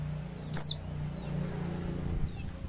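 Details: Female oriental white-eye gives a single thin, high, sharply falling call note over a low steady hum; used as a lure to make quiet males call.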